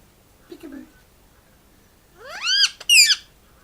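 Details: Pet Indian ringneck parakeet playing with its owner indoors, giving a loud harsh rising-then-falling screech followed by a second sharp squawk, after a brief soft murmur earlier.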